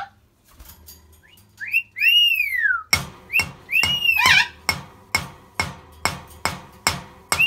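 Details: Rainbow lorikeets dancing with a water bottle give arched, whistled squeals that rise then fall, followed by sharp rasping bursts repeated about twice a second.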